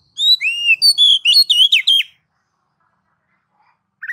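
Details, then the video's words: Oriental magpie-robin (kacer) in ngeplong style, a master song used to stimulate kacer into singing quickly: a rapid run of about nine clear whistled notes, slurred up and down, over two seconds, then silence and a short final note. "MASTER DASAR KACER NGEPLONG MEMANCING KACER AGAR CEPAT BUNYI GACOR Birds Song Kacer"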